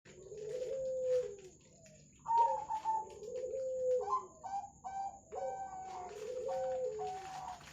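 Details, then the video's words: Zebra doves, local and Bangkok types, with local spotted doves, used as a lure to get birds singing: clipped, higher cooing notes in quick bursts overlap lower, drawn-out rolling coos. The phrases come in waves through the clip, over a faint steady hum. "pancingan suara perkutut lokal perkutut Bangkok"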